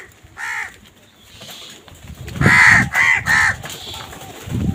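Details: Crow caws while crows fight for food: one isolated harsh caw, then a pause and a burst of three loud rasping caws in quick succession, with low thumping noises underneath.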